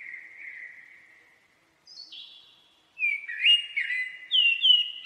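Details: A blackbird's slow, drawn-out whistle fades away. A thin, higher note follows, then a rich burst of warbled, fluting notes with squeaky flourishes. No other sounds are heard.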